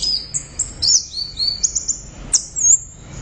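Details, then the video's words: Orange-headed thrush in full loud song: a run of high whistled notes, short buzzy slurs and one sharp falling sweep, delivered in a lively continuous stream. "Suara Burung | ANIS Merah Gacor Volume Keras Teler Mantap"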